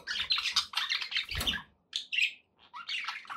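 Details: Budgies kept as pets give rapid scratchy chatter and squeaks, then short separated chirps after a brief silence, with faint low rumble beneath.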